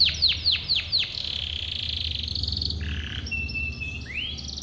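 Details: Song of a Timbrado canary used for training: four sharp downward-swooping notes, then a buzzy held tone, followed by short flat whistles and a final rising slur.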